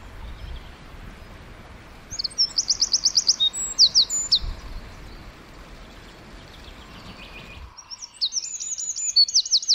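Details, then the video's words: Wren singing in a forest, a very tiny bird: high, rapid bursts of repeated notes and fast trills, starting after a quiet spell, pausing, then returning with another quick rattling run; faint low rumble underneath. "1 Hour Of A Bird (Wren) Chirping In The Forest."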